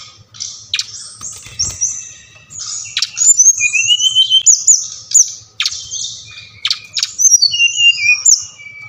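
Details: Bali-type brown-chested jungle flycatcher singing in a recording meant to rouse quiet caged birds. Sharp high notes and clear whistled glides mix with rapid trills, delivered in uneven bursts with short pauses between them.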